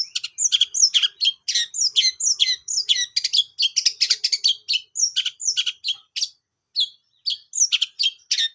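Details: ['Long-tailed shrike song as a long, lively series of scratchy, varied chirps and twitters delivered almost without pause.']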